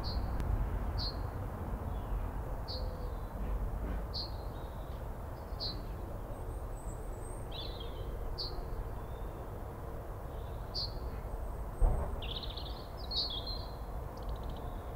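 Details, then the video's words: A male Yellowhammer sings from atop a fir tree in a suburban Cambridge garden about 30 m away: short, high, dry notes at roughly one per second ending in a longer buzzy phrase, over steady low windy rumble. "Yellowhammer (Emberiza citrinella) (M) - singing atop fir tree"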